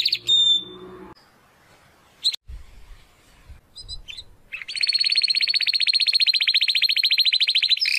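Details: Belgian canary song used for training young and adult birds: a brief whistle and scattered chips amid low thumps, then a long, loud, even rolling trill lasting over three seconds.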